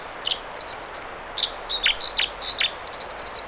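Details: American dipper singing in the Mamquam River spawning channels near Squamish, British Columbia: high, sharp notes in quick repeated groups mixed with buzzy, trilled phrases and several steep downslurred whistles, loud and clear over a soft background hiss.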